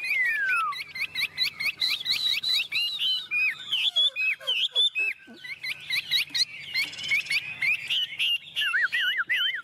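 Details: Chinese hwamei, a tame caged bird, pouring out loud whistled song with quick repeated hooked notes, a descending slide, short sharp chips and a final warbling wavering phrase.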